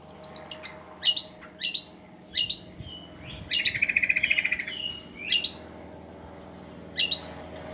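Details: Long-tailed shrike song for luring reluctant shrikes into song: spaced sharp downslurred chips, a short whistle, a fast rattling trill, then more isolated chips, with steady low hum.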